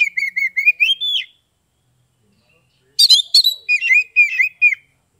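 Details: Oriental magpie-robin from Kebumen, Central Java, Indonesia, singing in the loud open 'ngeplong' style: a run of clear, slurred whistled notes, a pause of over a second, then a fuller burst of sharp whistles and rising slurs.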